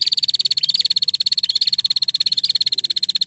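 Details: Female prinia calling energetically, with a rival said to answer at once; a continuous fast, dry, buzzy ticking trill on a steady high pitch, several notes per second, running without a break for the whole stretch.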